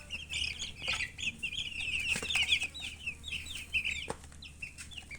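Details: Baby chicks chirping almost continuously, dense high cheeps from several birds, bursts of rapid notes around the middle, then sparser single peeps, one sharp tap near the end.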